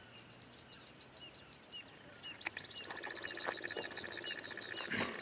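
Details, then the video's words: Grassland Yellow-Finch, a prolific singer, opens its song with a quick run of about ten sharp, very high chips, then a rapid, buzzy twittering trill. "Canto Do Canarinho Tipiu"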